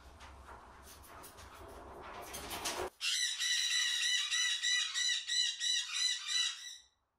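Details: Young unrelated pair of white-bellied caiques, a hen from last season and a male about 12 months old, giving about ten harsh, shrill, high squawks, roughly three per second, after a few seconds of rustling, rising noise.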